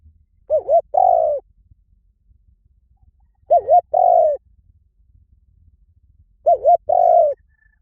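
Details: Spotted dove repeating a phrase of a quavering coo followed by a longer smooth coo, three times about every three seconds, with quiet background.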